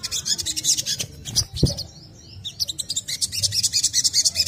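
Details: High, dense twittering chatter of a crimson sunbird, used as a lure to set other birds singing, fast sharp notes run together in long bursts, briefly interrupted by a low thud before the rapid chatter resumes.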